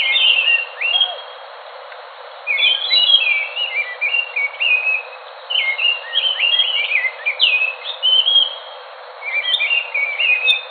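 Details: Song of the Enggano thrush from Enggano island off Sumatra, Indonesia: bursts of bright whistled and warbled notes, sliding up and down, in dense phrases separated by brief quiet gaps.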